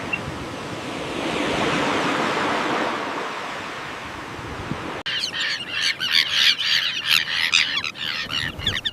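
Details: Common terns in a breeding colony: after several seconds of rushing wind or surf, a burst of rapid, rasping squawks follows, repeated quickly and overlapping as several birds call together.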